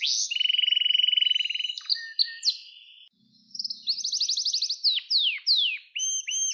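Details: Domestic canary song for training young birds: a low, fast, even rolling trill, scattered whistled notes, then rising trills and several loud downward-swooping notes.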